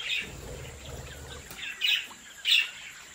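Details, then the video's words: Caged budgerigars in a home breeding setup give a chirp at the start, then two clear, high chirps near the end, with low murmuring chatter between. "Sonidos relajantes para Periquitos ASMR🔊🎼de Mi cría de Periquitos Australianos"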